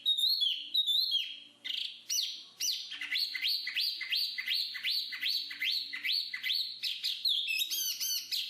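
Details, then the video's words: Black-capped babbler, known locally as jongkangan or pelanduk topi hitam, singing a fast run of bright whistled notes. Each note sweeps up and then drops, and they come roughly twice a second over a faint low hum. "BURUNG JONGKANGAN/Black-capped Babble"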